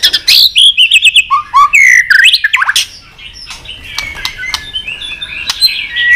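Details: Competition fighting song of a white-rumped shama: a loud run of varied whistles, slurred and falling notes with harsh chips in the first half, then quieter scattered whistles and clicks.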